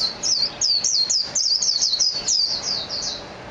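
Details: Bright, thin notes from a Japanese white-eye pour out in quick succession, each a high downward slide, forming an unbroken, irregular warbling phrase.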